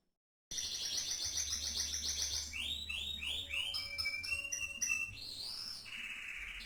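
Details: Caged canary singing in a style likened to a famous champion bird: fast rattling trills give way to repeated downward-sweeping whistled notes and bright chirps, with a steady low electrical hum underneath.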